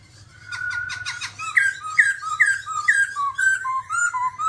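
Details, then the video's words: Babbler singing, described as dancing: a harsh buzzy opening, then a run of falling whistled notes repeated about twice a second, gradually dropping in pitch. "birds Timaliidae singing"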